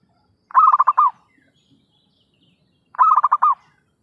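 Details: Lure call of an actively calling zebra dove for trapping: two rapid, rolling phrases of soft pulsed coos, each ending in a drawn-out note, separated by about two seconds of near silence.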